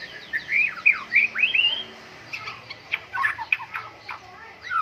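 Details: White-rumped shama singing energetically during a morning dew airing session: a run of bright rising whistled slurs, then scattered sharp chips and falling notes with short gaps.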